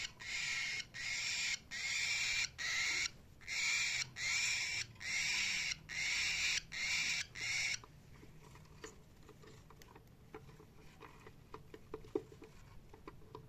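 A cockatiel gives a rapid series of harsh, raspy screeches, then falls quiet apart from soft clicks.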